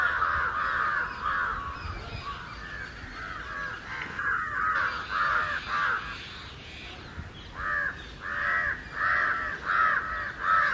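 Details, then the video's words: Mixed flock of house crows and jungle crows crowing loudly against an unseen intruder, calling nonstop for over an hour while flying: overlapping harsh, hoarse caws in dense bursts, with a brief lull near the middle before the chorus swells again. "Crow Cawing loud - United Crows Flying & Crowing against someone"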